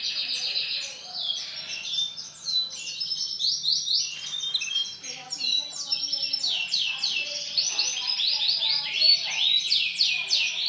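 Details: White male canary in full song: dense, fast, high-pitched trills and chirps pour out almost without pause, shifting from one rolling phrase to the next.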